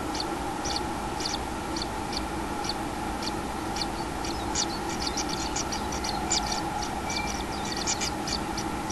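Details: Common kingfisher at its nest with a chick, 6 July 2016: short high ticking notes come in irregular runs, some doubled, over a steady low electrical hum.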